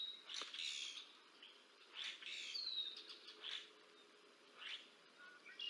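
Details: Bald eagles on the Decorah North nest, 30 March 2024, an adult feeding two young, from a nest camera; scattered high, thin chirping notes in short bursts separated by brief pauses, faint steady background hiss.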